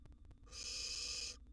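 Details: A single sustained, rasping hiss of under a second from a wild barn owl nestling swallowing a large gerbil inside a nest box.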